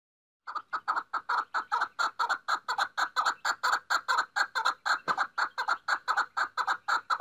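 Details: Female chukar partridge calling: a fast, steady series of harsh clucking notes, about two per second, running continuously after a brief silent start.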